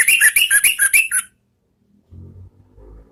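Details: Orange-headed thrush singing "ngeplong" for luring kept birds: six quick, regular whistled notes in a falling-rising pattern over about a second, followed by silence and a low background hum.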